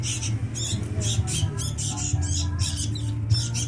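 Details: Sooty-headed bulbul chicks being fed, giving harsh, raspy hissing bursts in quick succession, roughly two to three a second, over a steady low hum.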